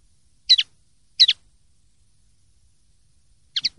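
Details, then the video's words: Common linnet 'limpio' song: three short doubled twitter notes spaced roughly a second or more apart, sharp and high, with silence between. "CD PARDILLO LIMPIO 2023/2024"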